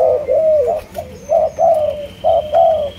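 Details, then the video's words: Close, loud cooing from a spotted dove of Malaysian stock: paired mid-pitched notes, a short one followed by a longer drawn-out one, repeated about once per second with a faint high tone behind. "Cu Gáy Malaysia Nhiều Dòng"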